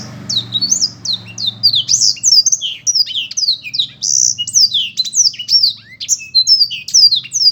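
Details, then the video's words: Black-throated canary in continuous rapid song, a dense run of high sweeping whistles and sharp downslurred chips delivered without pause, varied and loud, over a faint low hum in the background. "burung blektroat memang keren ....suaranya"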